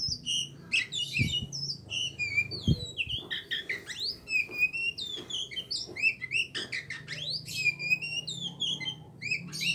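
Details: Aceh-type Oriental magpie-robin kept as a songbird, giving a long, rich medley of sharp whistled slurs, trills and upward sweeps with a few low thumps behind the singing.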